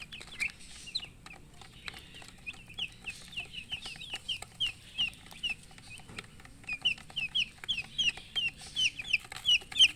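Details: Baby chickens, colour chicks kept as poultry, chirping from thirst for drinking water: a continuous stream of high, short peeping notes, many rapid overlapping downslurred cheeps from several chicks at once.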